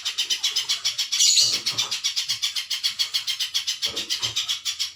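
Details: Spiderhunter singing for bird training: a steady, unbroken run of piercing high chip notes at nearly four per second, one note slightly louder and blurred midway, with faint low rustles beneath.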